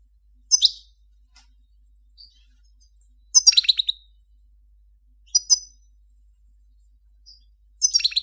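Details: Short phrases of a Major-form European goldfinch: quick tinkling twitters and buzzy notes come roughly every two to three seconds, with quiet gaps between them.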